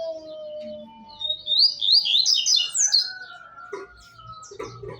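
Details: Double-collared seedeater singing around midday: a quick, jumbled series of high, sharp chirps and slurred notes lasting about a second and a half, over a faint steady tone and low background murmur, with softer chips afterward.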